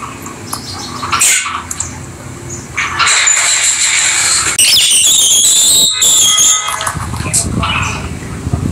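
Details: Rosy-faced lovebirds playing together as pets give loud, piercing, shrill chatter and squealing screeches, sustained for several seconds, with short breaks.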